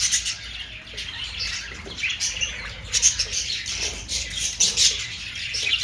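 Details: Continuous high scratchy twittering from budgerigars, irregular chirps and short squeaks with sharper accents near three and five seconds, over faint low noise.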